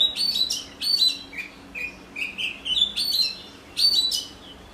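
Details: Oriental magpie-robin giving a run of short, high sweet phrases that mix sharp whistled upslurs and scratchy chirps, each lasting about half a second, over a quiet background.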